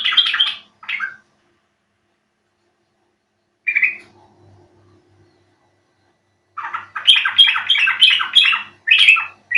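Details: Yellow-vented Bulbul (trucuk) lure call meant to get birds singing: a few short chattering bursts, a long silence, then a lively run of harsh, bubbly notes.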